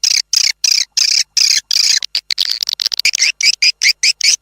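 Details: Swiftlet calling sound played outside to draw swiftlets in. Strong buzzy chirps are repeated about two or three times a second, switching midway to quicker, uneven clicks before returning to steady chirping.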